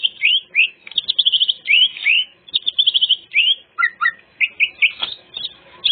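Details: Greater green leafbird in full varied song, played to lure other birds; bright rising whistled slurs alternate with fast trilled bursts, phrases repeated in quick succession.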